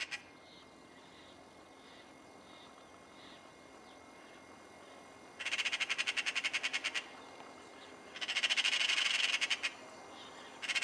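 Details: A magpie in Cyprus gives two harsh, rapid rattling chatters, each about one and a half seconds of fast, dry clicks, separated by a short pause, over faint distant chirping.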